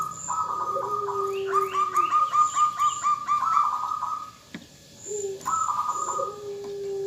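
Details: Female zebra dove calling the male to set him singing: a long run of quick staccato coo notes, a pause, then another pulsed burst with a lower sliding note, faint high whistles behind.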